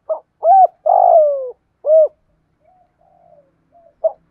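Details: Spotted dove with a 'thổ' voice, cooing to lure and provoke wild doves: a short note, a rising-falling coo, a long coo sliding downward, then a final round coo. Faint soft notes follow before another short note.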